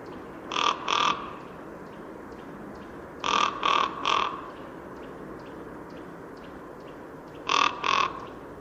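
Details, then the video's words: Rook (Corvus frugilegus) giving harsh, hoarse caws in short bursts of two or three, with pauses of a few seconds between groups. "Corbeau freux"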